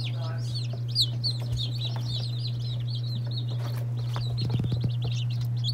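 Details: Group of day-old chicks, including Lavender Orpingtons, Marans, Silkies, Seramas, Legbards and Salmon Faverolles, keeps up a continuous stream of shrill descending peeps, slightly softer, with scattered thumps and rustling over a steady low hum.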